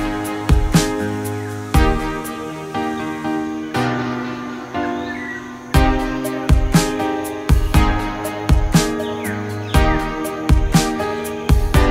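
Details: Only instrumental music plays: sustained harmonic tones with regular percussive strikes about once a second, and no clear animal voice.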